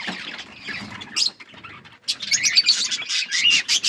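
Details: Budgerigars with growing chicks: softer chirps first, then after a brief lull a loud burst of sharp, fast chirping from several birds.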